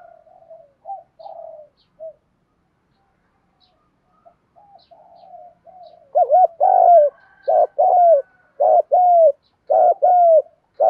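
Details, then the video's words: Spotted dove cooing played to rouse training birds, males and females: soft, quiet wavering coos at first, then from six seconds a loud run of short arched notes repeated about once a second, paired into a rhythmic phrase. "tiếng chim cu gáy kích bổi nhanh gáy/ giọng hạp bổi nhất hiện nay, cu gáy kích bổi và luyện mồi"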